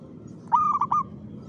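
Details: One rhythmic cooing phrase from a zebra dove (perkutut) at 5 pm in the afternoon: a brief stammered opening followed by two held, slightly wavering coos, against a faint low background hum.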